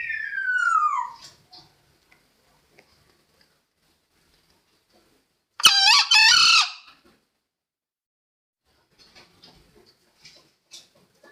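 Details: Green junglefowl crow, a sound used as a lure for trapping: one short, harsh, ringing burst of a crow midway through, preceded by a loud, falling whistled slur, with faint scattered clicks and chirps afterwards.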